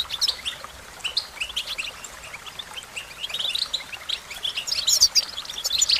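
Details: An American goldfinch sings a run of high, thin twitters and chattering chips. The notes come in loose clusters and grow louder and busier toward the end, with soft background noise throughout.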